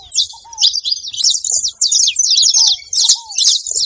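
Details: A group of saffron finches at a feeding spot, busy overlapping high twittering chirps in quick bursts, with a couple of short downward-curving whistles in the lower range.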